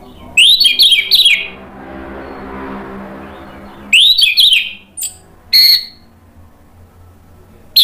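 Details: Orange-headed thrush giving short, forceful bursts of chattering, whistled notes separated by several seconds of low hum, a song used to provoke other birds into singing.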